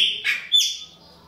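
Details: Chopi blackbird from a captive pair during mating, with the male repeatedly attacking the female. Loud, clear whistled notes: a sustained high tone, then a bright burst and a sharp descending sweep that fades out.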